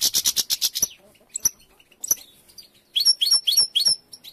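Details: European goldfinches while females gather material and three nests are being built; loud crackling clicks at first, then separate sharp, high chirps and whistled notes repeated quickly in short bursts.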